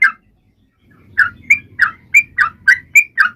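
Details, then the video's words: Sooty-headed bulbul singing to stimulate other birds: one note, a short silence, then a quicker series of eight bright, slurred chirps over a low murmuring background. "Trucuan gacor!!mancing burung lain ikut bunyi"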